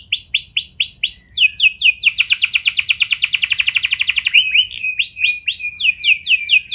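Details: Lure song from a canary to make other canaries start singing: curved whistled notes in series, a long rapid rolling trill, then more repeated slurred whistles.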